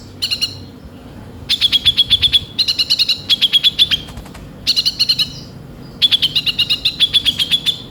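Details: Energetic song of a kolibri ninja sunbird with coarse filler notes: several bursts of rapid, high, ringing chips, each run lasting around a second, separated by brief silences.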